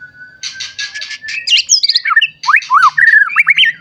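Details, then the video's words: Caged white-rumped shama used as a lure bird, beginning with harsh buzzy chatter, then sweeping whistled notes and quick up-and-down slurs; a faint low hum underneath. "Murai Batu Gacor Ampuh Untuk Pancingan Murai Batu Agar Bunyi Langsung Emosi"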